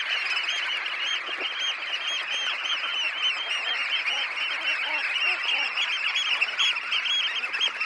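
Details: Red knots, about 20,000 birds taking off from a high tide roost, close recording: a dense continuous chorus of short nasal calls overlapping without pause, a steady wall of bird voices.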